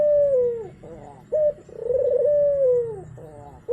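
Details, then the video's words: Turtle dove cooing from a lure for a dove that has gone quiet. Long mellow falling coos alternate with short clipped notes over a low steady hum. "Pancingan Burung Puter Macet Biar Cepet Bunyi"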